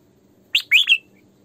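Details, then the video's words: Female red-whiskered bulbul decoy sings a brief phrase: a clipped high chirp, then two rolling, slurred whistles, with faint background hum. "Tiếng Chim Chào Mào Mồi Hót Sổ Bọng Căng"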